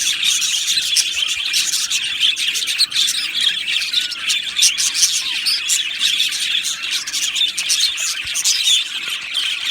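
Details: Budgie colony singing in an aviary: a steady high chirruping chorus with many overlapping voices and a few short descending whistles.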